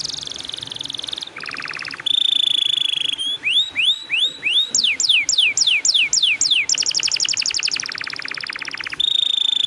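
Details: Long-rolling canary song used as a prompt for other canaries: buzzy high trill, a lower rattle, a clear whistle, then rising and falling sweeping notes and fast repeated chirps.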